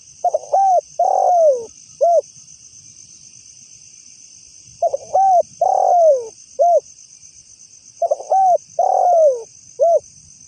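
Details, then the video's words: Spotted dove calling, a recording meant as a lure sound: low, soft cooing phrases of about four notes, one long drawn-out descending coo among short ones, repeated roughly every three and a half seconds over a steady high insect-like hum. "pikat tekukur ‼️ suara asli burung tekukur cocok dijadikan suara pikat"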